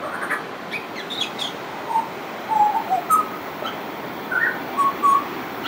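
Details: Pied butcherbird singing: isolated clear whistles and short warbled notes spaced out, plus faint twittering of other small birds early on.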